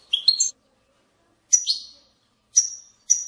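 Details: Snatches of European goldfinch bitbita song, played to make goldfinches sing: a twittered burst, then a slurred whistle, then two thin high notes, all separated by clean silences.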